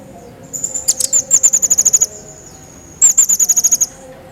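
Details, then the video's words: Pygmy bushtit, described as lively, recorded for training other songbirds: very high, thin, rapid trills of clipped notes in two bursts, joined by a faint steady high whistle-like tone. "Crecet Jawa Gacor Pancingan Burung Masteran"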